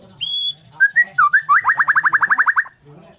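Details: White-rumped shama, a Bornean bird, singing in the morning: a high pure whistle, slurred rising notes, then a fast run of about fifteen bright repeated notes over faint low background hum.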